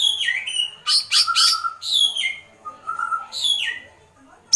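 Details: White-rumped shama in agitated kretekan: falling whistles mixed with harsh rasping bursts, then a couple of descending slurs and a soft low whistle.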